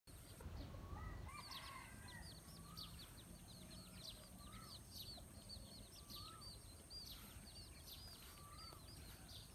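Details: Bantam hen leading her chicks out to forage: a stream of thin, high chick peeps with a few lower, softer notes, over a steady hiss and faint high whine.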